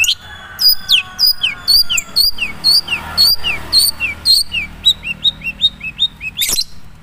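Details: Natural song of a Madura long-tailed shrike, not yet rich in borrowed phrases: a lively string of high, down-slurred whistles about twice per second, ending in a sharp click-like burst.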